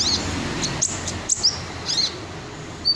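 Crimson sunbird giving thin, very high chips and brief twittering notes at an uneven pace, with a few sharp clicks over a faint low hum.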